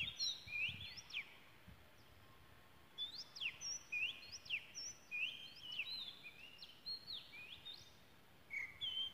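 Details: Wild Oriental magpie-robin in Malaysia singing: clear whistled notes between upslurs and sharp downward sweeps, phrases in bursts with short pauses, over a faint steady background hiss.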